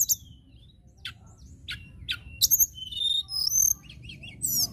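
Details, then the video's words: Common tailorbird, local, in song: a high falling whistle, sharp chips at roughly half-second intervals, then rapid whistled and trilled phrases closing with a rising note, over low background hum. "BUNYI TLEDEKAN LOKAL"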